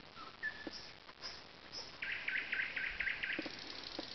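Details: Nightingale singing beside a lake among alders at Zawady Oleckie: a faint rising whistle, then a fast run of short repeated clicking notes in the second half, quiet background.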